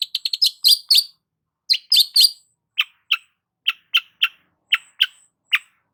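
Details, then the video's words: Long-tailed shrike singing vigorously: a rapid burst of high chattering notes, then sharp single chips spaced about half a second apart, clean with no other sounds. "BURUNG CENDET GACOR"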